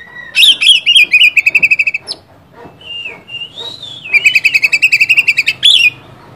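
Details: Oriental magpie-robin song meant to provoke a rival: a fast train of sharp, ringing whistled notes, then a drawn-out wavering whistle, and another rapid run of bright repeated notes ending in a rising flourish.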